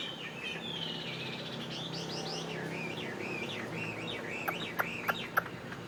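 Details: Fighting Chinese hwamei, caged, from northwest Vietnam and kept in Saigon, sings a soft, wavering whistled strophe of looping rising-falling notes over steady background noise, ending with a few sharp clicks.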